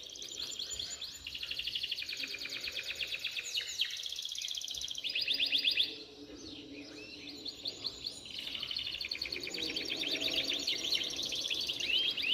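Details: Canaries singing heavily, pouring out quick repeated trills and buzzy rolls in overlapping bursts, with sweeping high notes near the end; steady background noise.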